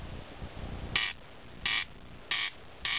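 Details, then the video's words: Corncrake on a summer night, 26 June, at Alastaipale, Ähtäri, giving dry, rasping crex notes, each a short harsh burst, repeated about every two-thirds of a second, with a faint low rumble in the background. "Ruisrääkkä (Crex crex)"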